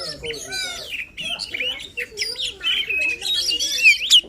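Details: Oriental magpie-robin singing energetically, meant to prompt a quiet magpie-robin to sing; a softer, somewhat muffled start builds into a stream of warbled whistles and chatters, with faint low background noise.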